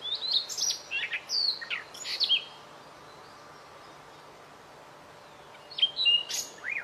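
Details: Masteran recording of white-rumped shama singing: a burst of rapid high whistles and chattering notes, a pause of about three seconds, then more swooping whistles and sharp chips against steady background hiss.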